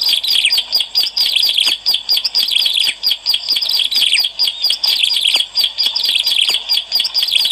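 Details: Bar-winged prinia song used as a lure recording: a dense, continuous stream of high, sharp chirps and short trilled notes, running unbroken with only brief dips.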